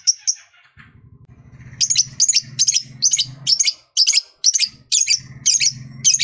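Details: Lovebird kept as a pet, singing to stimulate other lovebirds: sharp high chirps repeated about twice a second, with a low hum underneath.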